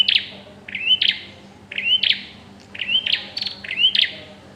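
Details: Bar-winged prinia at the pairing stage giving about five sharp phrases in under five seconds, roughly one per second, each a quick rising whistled slur followed by dry clicking chips; steady faint low hum underneath.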